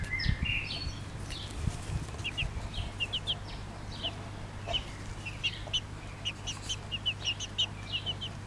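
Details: Pekin bantam chicks in bobtail colouring with their mother hen: a busy run of short, high, downward-sliding peeps, several birds overlapping, a few louder at the start, over a steady low electrical hum.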